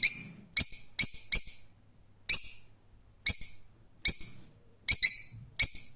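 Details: Rose-ringed parakeet giving loud, harsh, piercing screeches in short bursts, sometimes doubled, at irregular intervals of about a second, with near silence between them.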